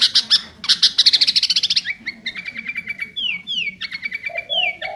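Sooty-headed bulbul singing: fast, high chattering trills in quick bursts, then clear whistled notes that slide downward and a few lower warbles.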